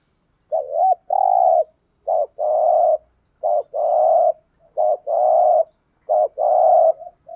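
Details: Decoy spotted dove giving urging coos to lure other doves: five evenly spaced phrases, each a quick rolling upslurred note followed by a long, low, buzzy coo, repeated about every one and a half seconds.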